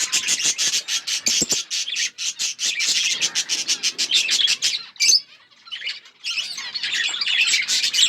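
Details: Budgerigars in a flock chirp in a fast pulsing stream of sharp notes, about one and a half per second, pausing briefly before the busy twittering returns.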